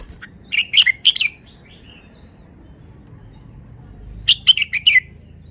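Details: Red-whiskered bulbul song: a brisk run of bright chirps, then soft trailing notes, and after a pause a second burst of five rapid, ringing syllables, with a faint low rumble underneath.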